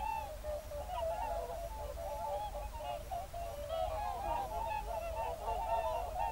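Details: On a February evening in 2023, whooper swans gather in a national park with geese nearby. Busy overlapping bugles and honks, rapid and irregular, from a large calling flock.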